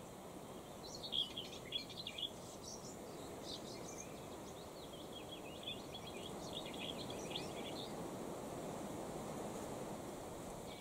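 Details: Common whitethroat (Sylvia communis) on 8 August 2019 in Beryslav district, Kherson region: short scratchy chattering phrases every second or two over a steady low rush of wind or distant traffic.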